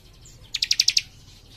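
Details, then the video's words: Young cikrak in full song, delivering a single quick burst of six sharp, high, ringing notes spaced evenly over half a second, with a faint thin whistle just before it. "Cikris Muda Gacor Nembak Rapat"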